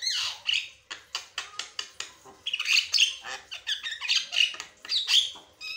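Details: Asian pied starling, a caged songbird singing energetically without pause, a dense run of harsh squawks, buzzy rasps and clicking notes mixed with short whistles, delivered in quick bursts about every half second.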